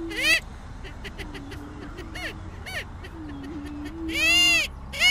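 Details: Several Greater prairie chickens give loud, harsh whooping cackles in short bursts, one drawn out and swelling near the end. Low hooting tones hum between the outbursts.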